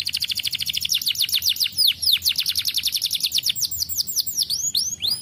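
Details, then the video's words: A canary in full song, offered as a recording to stimulate untrained birds to sing, gives a fast, continuous run of bright, high chirps and sweeping notes, repeated several times a second. "Kenari gacor!! plilihan untuk merangsang bunyi burung bahan"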